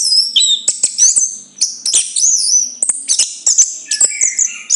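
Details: Chestnut-capped thrush singing fast, high warbled phrases with squeaky whistles and sharp clicks, a few lower slurred notes near the end, the song continuous with short breaks.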